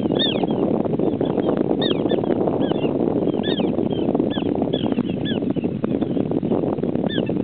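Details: A flock of small pratincoles keeps up a continuous chatter of brief, high, downslurred chirps, overlapping throughout, beneath a dense, loud layer of low rumbling noise.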